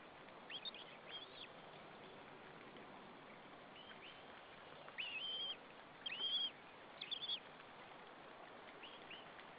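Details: Chick of white-tailed eagles at a nest in Saunja, Estonia, 26 April 2013 at 14:37, calling before being fed: a few faint chirps, then three longer, louder, high, thin whistled notes evenly spaced about a second apart.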